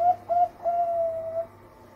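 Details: Ending of a melodious zebra dove lure song, Bangkok-type perkutut, meant to start other doves singing: two short soft coos then one long smooth note held for nearly a second, slightly falling, low hum behind.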